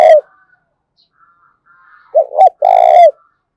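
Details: Spotted dove voice for luring and training decoys: the end of one coo, a near-silent gap with faint noise, then a loud, rasping phrase of two clipped notes and a long drawn coo.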